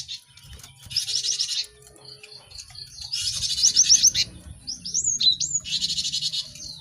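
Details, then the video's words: Lively cinereous tit singing, used to teach caged birds a quick song: dense buzzy high bursts, brief rising whistles and a rapid run of sharp notes, with a soft low hum underneath. "Pacingan gelatik batu ramai untuk maksimalkan burung belajar cepat bunyi"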